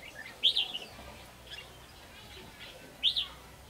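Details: Red-whiskered bulbul used to lure birds into a trap, two short sweet whistled phrases spaced over two seconds apart against faint background chirps.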